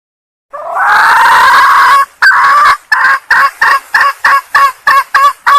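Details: Female red junglefowl from Sumatra calling to attract males: a long rising hoarse cry, then a steady series of short raspy notes about three per second.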